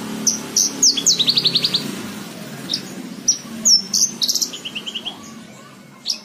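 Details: Singing Javan bush lark used to tutor cage birds: high whistled notes lead into a rapid rattling trill, then more sharp whistles and a second, lower buzzy trill.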